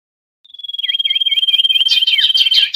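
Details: Busy common iora lure calls used to attract wild birds for trapping. A long, even high whistle starts after a brief silence. Rapid looping chirps repeat over it several times a second and grow fuller and buzzier toward the end.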